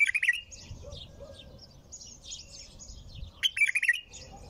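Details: Bulbul singing nonstop: two bursts of fluttering, warbled notes, one at the start and another near three and a half seconds, over a steady wash of softer high twittering and a low background rumble.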